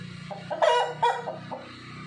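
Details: White rooster giving a short, choppy crow in a few quick bursts over a steady low hum.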